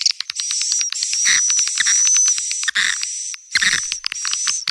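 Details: Swiftlet call used to draw young swiftlets, a dense run of sharp clicking chirps with a thin high whistle running through, in bursts broken by short pauses.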